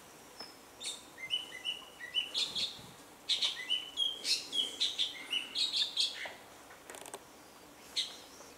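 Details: Orange-bellied Leafbird male singing at Doi Inthanon, Thailand, while feeding on fruit, mixing copied calls of other species: rapid runs of clear, piercing whistled notes, some stepping upward, with buzzy chatters between, fast and varied.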